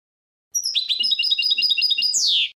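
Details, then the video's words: Goldfinch song recorded for a birdsong CD aimed at goldfinches: a rapid two-second run of bright, high twittering chirps and short trills, finishing with a drawn-out downward-sliding buzzy note, with no other sounds. "Goldfinch Song"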